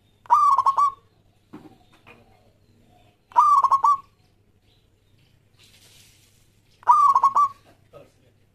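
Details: Singing local Indonesian zebra dove, recorded as a lure to make other doves sing: three rapid rolling coo phrases roughly every three and a half seconds, with faint soft notes between them.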